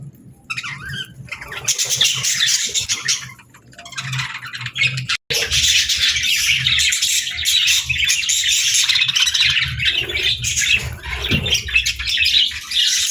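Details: Morning routine of a pet parrot. Busy, overlapping chirps and harsh squawks run almost without pause, with a short quiet gap midway and faint low background hum.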